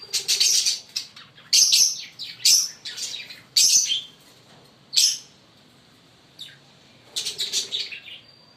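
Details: Fischer's lovebirds, a green pair, singing with loud shrill chirps repeated roughly once a second, then a pause and a final rapid cluster of harsh notes.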